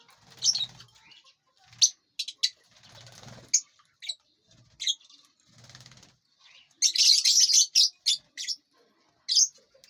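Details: Lovebirds in a large aviary while eating and flying about: scattered sharp high chirps, then a dense burst of rapid, harsh squeaky chirping near the end, with fluttering and rustling in the background.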